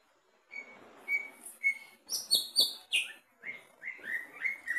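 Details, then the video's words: Greater green leafbird, tested low down, sings loudly: a lively run of clear whistles and sharp chirps, high rising and falling notes in quick bursts over soft background noise. "cucak ijo di bawah gacor"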